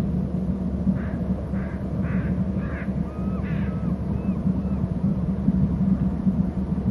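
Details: Eagles gathering at their nest on Hornby Island, heard through a nest camera: a short run of rapid chittering notes followed by thin, rising-and-falling whistled squeals, over steady low electrical hum.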